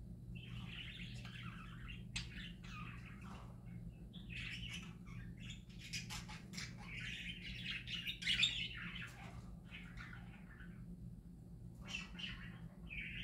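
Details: Parakeets singing happily, several birds trading rapid warbled chirps, scratchy buzzes and short squawks in overlapping bursts, over a constant low electrical hum.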